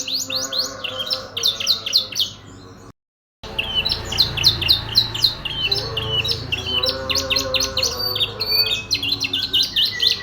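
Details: Canary in full song: high, rapid trills and chirped phrases, changing every second or so, with a half-second break after about three seconds. It continues in a steady stream over a room hum.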